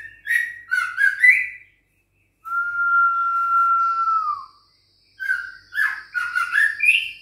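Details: Six-week-old caged White-rumped shama of Bahorok lineage, trained against a rival, gives choppy chirped notes, then one long steady whistle slowly sliding down, then more rapid jumbled chirps.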